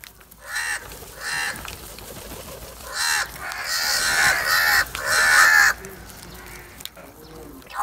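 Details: A large group of black crows attacking cheese calls in overlapping harsh, drawn-out caws, several rising to a loud chorus near the middle before fading.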